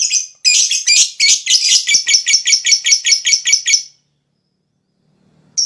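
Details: Lovebird in the long 'ngekek' chattering style, used to stimulate other lovebirds to sing: a rapid series of about thirteen shrill, harsh high notes in quick succession, then sudden silence.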